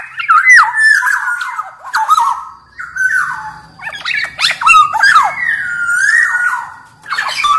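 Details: Black-naped oriole of the large Sumbawa type, caged and singing steadily, for training other orioles: repeated mellow whistled phrases dipping and sliding, laced with rasping notes, nearly continuous across the clip.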